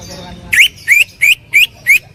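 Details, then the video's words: Greater green leafbird giving loud song in 'tembakan' style for training: five short, clear, upward-slurred whistled notes, evenly spaced about three per second, over a quiet background. "cucak ijo gacor full tembakan suara keras"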